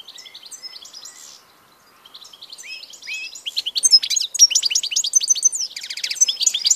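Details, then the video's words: European goldfinch song recorded 16 March 2014, starting with soft twittering notes and building into loud, rapid liquid chirps and trills in the second half. "grdelin, chardonneret,goldfinches,el jilguero"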